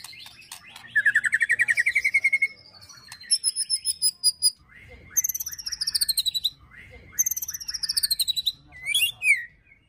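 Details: White-rumped shama in an aggressive 'ketrekan' song filled with mimicked cililin, prenjak and tir notes, used to provoke and train birds: rapid buzzy trills of repeated notes, sliding whistled phrases and high descending sweeps in short bursts.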